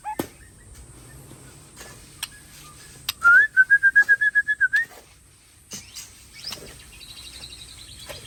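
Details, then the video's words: White-rumped shama from Tangse, Aceh, delivers a loud run of about a dozen evenly repeated whistled notes ending on a rising slur, with scattered clicks and a thin high steady hiss. "Murai Aceh Ori Tangse Super top"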